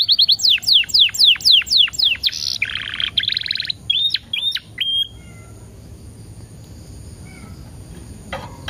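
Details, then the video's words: Canary lure song, played with 10-second pauses to prompt other canaries to sing: a fast series of about eight sharp falling whistled sweeps, a dense buzzy rattle, then short clipped whistles before the song stops and quiet follows. "PANCINGAN KENARI TERBAIK DENGAN JEDA 10 DETIK LEBIH EFEKTIF || PASTI GACOR"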